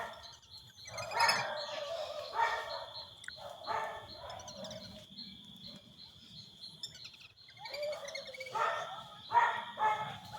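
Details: Brazilian teal giving hoarse, nasal calls in short clustered bursts, with pauses between groups, over a constant high thin buzz in the background.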